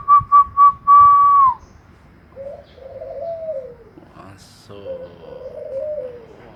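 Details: Barbary dove in full cooing display, called manggung, answering a person: a run of steady whistled notes and a long held whistle, then two low, drawn-out rolling coos that sink slightly at the end.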